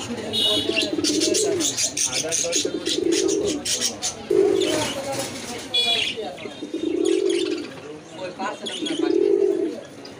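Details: Pigeon cooing: low, rounded coo phrases, each about a second long, repeat at roughly two-second intervals, over a steady hiss of high-pitched background noise with faint clicks.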